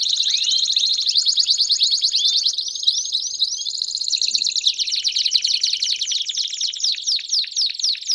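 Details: Belgian canaries singing in chorus to stimulate a canary to sing, a dense wall of high trills and chatter with a few rising whistles, shifting to a rolling trill and spaced sharp notes.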